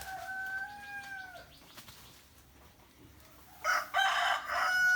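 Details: Rooster crowing in the morning: a long harmonic crow fading out after about a second and a half, then a loud, harsh second crow from another bird near the end, with faint chirping birds in between.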